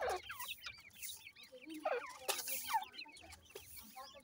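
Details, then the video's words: Several grey francolin (irani teetar) chicks peep in quick, high, curved chirps, some sliding sharply downward, overlapping with soft lower clucking notes and short bursts of handling noise. "irani teetar chicks voice, irani teetar speaking,grey francolin bird chicks"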